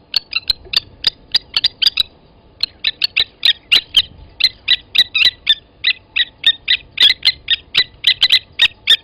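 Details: Blacksmith lapwings at Gowrie dam waterhole, Djuma Game Reserve, Sabi Sand, South Africa, 29 August 2020 at 07:47, as an adult grabbed a chick from the nest and killed it: sharp metallic clinking notes, about three or four per second, with brief pauses.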